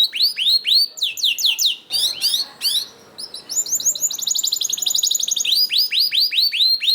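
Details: Canary song played to prompt other canaries to sing: fast rolling trills of repeated upward-curving notes, about four per second, switching between tours with short buzzy bursts and a brief pause.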